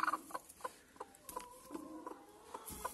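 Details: A broody American hen, with eggs being slipped under her to hatch chicks, gives short, low, grumbling clucks, several per second, each a quick pulse, with a drawn-out murmur in the middle and a soft rustle near the end.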